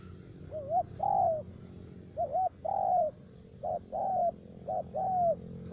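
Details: Decoy spotted dove used for trapping wild doves in the U Minh area, Khánh Hòa commune, Cà Mau, Vietnam, with a three-note voice: low cooing phrases, each a short wavering note then a longer falling coo, given three times over a steady low hum.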